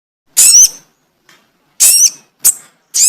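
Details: Sogon bird, recorded as a lure for trapping: short, sharp, squeaky high-pitched notes in separate bursts, each with a quick downward-bending whistle, spaced irregularly about every second.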